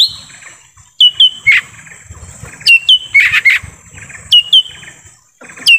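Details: Lesser green leafbird calling in forest, a recording meant to bring in wild birds: sharp high whistles with short downward slides, paired, plus a raspy burst near the middle.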